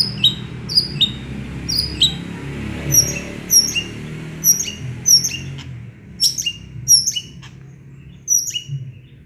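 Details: Lively long-tailed shrike imitating small birds: a series of sharp, high downward-sliding whistles, mostly in pairs, with brief pauses between phrases and a soft low hum behind.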